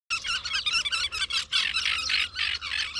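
A flock of common terns calls over one another in harsh, grating, high-pitched squawks, uttered rapidly and almost without pause.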